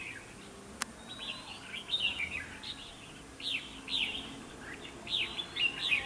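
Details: Bulbul of the red-whiskered kind singing as a trap decoy to provoke fights, clear rising-falling whistled notes in repeated phrases growing louder toward the end, after a single sharp click early on.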